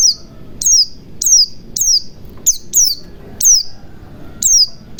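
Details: High white-eye call, used to coax a silent white-eye into song: crisp, descending whistled notes repeated roughly every half second, sometimes doubled, over low background noise.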